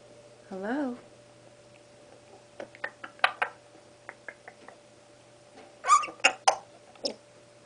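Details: A five-month-old baby Congo African grey parrot, kept as a pet, practising sounds: a quick wavering whistle, then scattered clicks, short squeaks and sharp high chirps in bursts.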